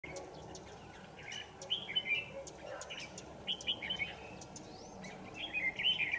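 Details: Wild red-whiskered bulbul being trapped on 27 November 2018, with a decoy bird singing to fight. Bright chirped notes in short bursts, some rising and some falling, come in clusters over a steady hiss of background noise.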